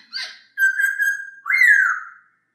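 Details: Masked laughingthrush, a clear training song for other birds: a short rough note, then a long, steady fluty whistle followed by a loud whistle that rises sharply and slides down.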